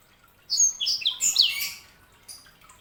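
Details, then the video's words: A short, dense phrase from a sanger canary hybrid: bright, high slurred notes tumbling over one another for about a second and a half, then a faint final chirp. "KICAUAN SANGER"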